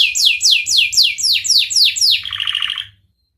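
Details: Canary song meant to train other canaries: eight loud, evenly spaced descending whistled notes followed by a short lower buzzy trill that fades to silence.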